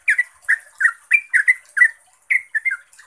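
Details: Yellow-vented bulbul (trucuk) in lively, rapid ropel-style lure song meant to prompt other bulbuls to answer: short bubbly, slurred chirping phrases repeated about every third of a second, with brief pauses between bursts.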